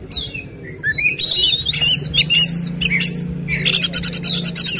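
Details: Oriental magpie-robin competing in a songbird contest with 'tembakan' phrases sought by judges. Busy overlapping whistles and chatter end in a quick rattling series of clicks, above a low humming background.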